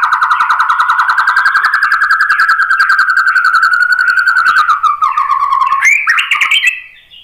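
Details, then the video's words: White-rumped shama singing a long run of rapid pulsed notes around a steady mid pitch, about 3-4 per second, breaking at the end into quick rising and falling whistled phrases; no other sounds. "KICAUAN MURAI BATU"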